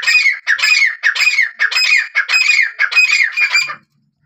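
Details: Black francolin, recorded for hunting: a loud series of about eight harsh, squawking notes with a ringing rise-and-fall, spaced about half a second apart, then silence.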